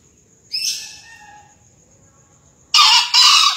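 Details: Green junglefowl, 2020 crowing contest: a fainter husky note early on, then a loud rasping crow in two quick parts at the close, with an insect's thin whine in the background.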